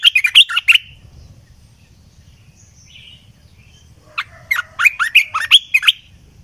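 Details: Red-eyed bulbul song: two bursts of quick, bubbly, warbling notes, the first in the opening second and the second after a pause of about three seconds, each a fast run of chirpy rising and falling phrases; faint low background rumble.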